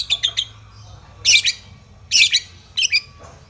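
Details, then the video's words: Long-tailed shrike giving harsh, aggressive rival-seeking song used to provoke other shrikes: short scratchy rasping bursts, some doubled, spaced under a second apart. "cendet gacor MENCARI LAWAN ini MENJADIKAN burung pentet gacor pancingan cendet agar bunyi EMOSI"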